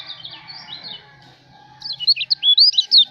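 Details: Lombok white-eye: after a hushed start, a quick burst of sharp, high chirps and twittered slurs fills the last second and a half.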